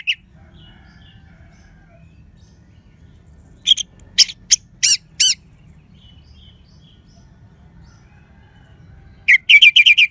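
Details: Orange-headed thrush, lively crystal-voiced song for prompting sluggish or silent birds to sing: after a long quiet stretch, a burst of five sharp high chirped notes, then a rapid ringing trill at the end over faint low hum.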